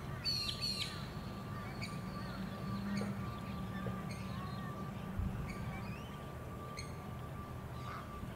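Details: Recorded on the Sunshine Coast, Queensland, in April 2021, a Eurasian coot opens with a rapid cluster of harsh, ringing calls, followed by sparse single clipped notes every second or so over a steady high drone.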